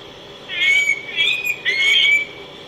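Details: Araripe manakin, a critically endangered bird of Brazilian forest, singing three bursts of liquid, warbling notes, each roughly half a second long, with quick wavering slurs against a quiet background.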